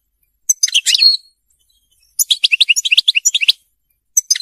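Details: Song of a captive European goldfinch (royal goldfinch, mqnin) used to teach birds to sing: three short bursts of sharp, high chirping twitters, the middle one longest with quickly stuttered notes, with brief silences between them.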